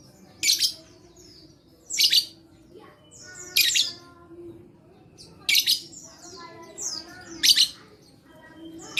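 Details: Lovebird song meant to coax silent lovebirds into singing: loud, grating squawk-chirps come about every one and a half to two seconds, each followed by thinner buzzy trailing notes, over a faint hum.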